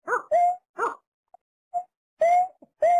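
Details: Watercock gives a few hollow hoots and level tonal notes, with faint soft notes in a brief quiet gap.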